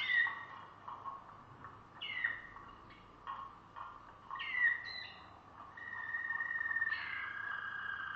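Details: Malinois Waterslager canary singing: a string of descending, watery sliding phrases with bright steady held notes between them, broken by short pauses, over a quiet low background hum.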